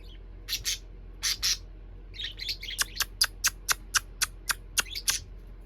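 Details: A pet parakeet pair chattering happily in the evening: harsh broadband squawks, then a quick run of about twelve sharp chirps, roughly four per second, with soft twittering between.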